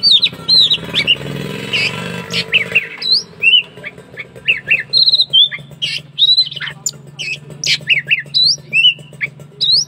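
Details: Oriental magpie-robin in full song, a lively string of sharp upslurred and downslurred whistles and chirps delivered in quick bursts over a steady low mechanical hum.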